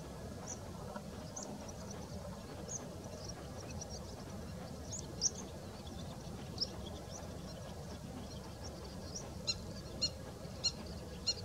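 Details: A white wagtail at Mishmar HaEmek, Israel, in February 2019 gives thin, high, sharp chips, scattered at first and then several in quick succession near the end, over a steady low rumble of background noise.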